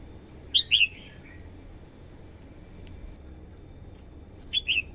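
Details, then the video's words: Female red-whiskered bulbul used as a decoy to call in wild birds, giving two short pairs of sharp whistled notes about four seconds apart, with quiet hiss and a thin steady high whine between. "TIẾNG CHIM CHÀO MÀO YẾU LỬA HÓT KÍCH BỔI MỞ MỎ HÓT SỔ CĂNG LỬA"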